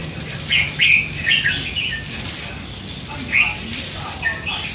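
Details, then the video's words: Young red-whiskered bulbul, hand-fed and three months old, chattering; a burst of warbled chirps early, then sparse softer notes. "นกกรงหัวจุก ลูกป้อน 3 เดือน ปากเบาสุดๆ"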